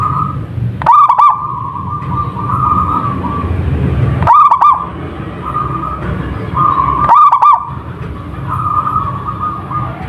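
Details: Local zebra dove in full song, repeating loud, rapid, bubbling coo phrases about every three seconds, three in all, between drawn-out humming tones and low rumble.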